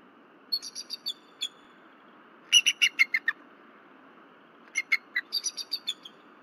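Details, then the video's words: On a February 2023 night at Berry College, a female bald eagle disturbed by something flying near the nest gives three phrases of high staccato chattering, the middle phrase the loudest, with quiet gaps between them. "Night Disturbances-Missy Vocalizes Until Pa Berry Arrives"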